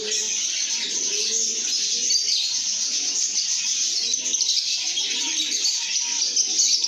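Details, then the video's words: Contented lovebirds singing and chirping as a flock: shrill overlapping twitters fill the whole stretch, with quieter low cooing phrases and brief mid-pitched whistles behind. "lovebirds singing & chirping sounds"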